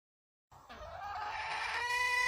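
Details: Wild red junglefowl hen calling: after a half-second of silence, a drawn-out harmonic note rises in pitch and then holds steady, growing louder toward the end.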